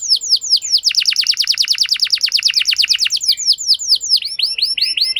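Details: Lure canary song meant to make a less eager bird answer and sing long: quick repeated chirps lead into a steady rapid trill, then separate swooping whistled notes.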